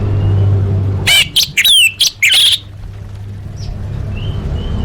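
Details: Orange-headed thrush in a full fill-in contest training recording, giving a brief burst of loud mixed phrases with sharp whistled sweeps and harsh notes, followed by soft distant chirps over low hum.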